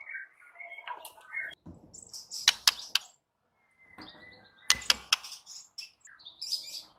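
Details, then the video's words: White-rumped shama singing: sharp clicking notes in short bursts mixed with thin high whistles and brief chattering phrases, separated by short pauses. "SUARA MURAI BATU"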